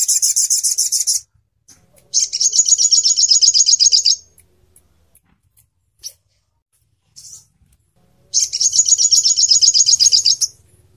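Crimson sunbird giving very high, thin trilled bursts, rapid sharp notes sustained for about two seconds at a time, separated by short pauses.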